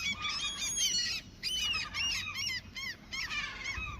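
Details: Gulls that had been attacking at a fishing spot, now being fed: overlapping loud, harsh, rising-and-falling cries from several birds, densely layered and almost continuous, with background wind noise.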